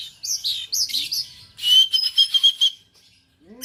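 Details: An owned oriental magpie-robin in Aceh, Indonesia, giving a few loud curved whistles, then a sustained high trilled whistle pulsing several times, followed by a short pause and a low squeak.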